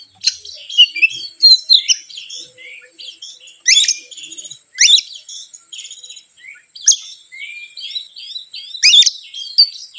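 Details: Oriental magpie-robin lure song meant to stir up other birds: quick varied whistles and chirps, with harsh loud bursts recurring about every two seconds.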